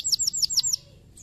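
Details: Canary song to stimulate other canaries: five quick, high downward-slurred whistled chirps in under a second, then quiet.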